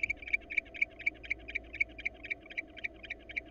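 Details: Wild female barn owl calling to invite a male to mate as he declines, before breeding begins in hot weather; rapid ticking chirps repeated about twice a second over a steady low hum.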